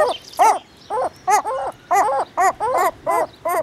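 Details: Herring gull at the breeding colony calling in a run of loud, nasal, yelping cries, some notes doubled, spaced unevenly about every quarter to half second, with faint higher calls from other birds behind.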